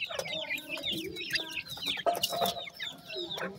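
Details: Several grey francolin chicks peep in bright, descending notes, closely spaced and overlapping, over a lower soft chattering and a few clicks.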